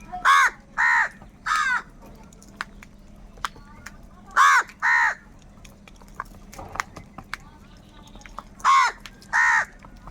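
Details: Crows calling loudly while fighting for food: harsh, nasal caws in bursts of two or three, each a short arched note, repeated every few seconds, with faint clicks and distant chatter between.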